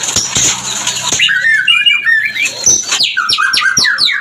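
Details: White-rumped shama mating call, used to bring birds into breeding condition: varied whistled phrases around the middle, then rapid sweeping notes and clicks toward the end, with a low indoor hum and knocking in the first second.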